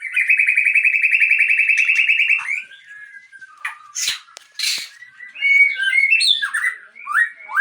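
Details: White-rumped shama, known locally as murai Aceh, sings a long rapid trill of repeated notes, then varied whistled phrases, sharp upswept notes and short chattering bursts.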